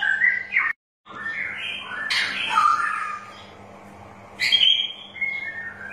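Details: Lure song of a straw-headed bulbul, meant to prompt reluctant birds to sing: mellow warbled notes, a brief silent break, then a loud burst of gurgling phrases and a later bright whistled flourish.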